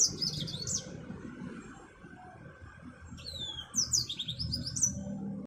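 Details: Kept Yellow-fronted canary, an African Mozambique finch used as a tutor bird, opens with a quick high twitter. After a silent gap come sharp whistled slurs and a cluster of bright chirps, with a low hum beneath.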